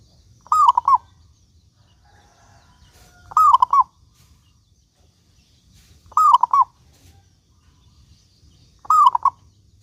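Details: Local zebra dove song used as a lure to set other doves singing: four phrases spaced roughly every 2.8 seconds, each a bending coo breaking into short bubbling notes, with faint low background rumble.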